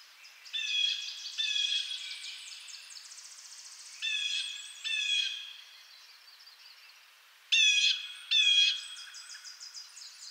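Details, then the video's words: Blue jay of eastern North America giving harsh, nasal jay calls with rich stacked harmonics, loud paired bursts near the start and again later, separated by quieter fading echoes. "Blue Jay Sounds"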